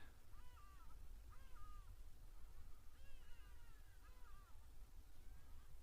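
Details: Hadeda ibises, a very common sound here, give harsh, nasal calls, rising and falling, several in quick bursts about a second apart, over a low rumble of wind or distant noise, recorded 1 December 2022.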